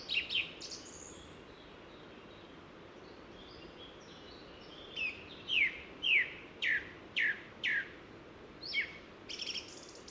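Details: A Song Thrush sings a bright whistled phrase five times in quick succession amid varied chirpy fragments, with a quiet outdoor hiss. Recorded among trees on a sunny hike in the Ossau valley, Pyrenees, France.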